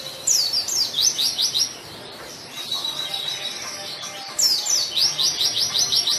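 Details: White-eye singing vigorously, used as a lure and tutor to prompt silent white-eyes to sing: two bursts of rapid, high, thin descending chirps, each run lasting over a second, separated by a quieter pause with a faint steady whistle.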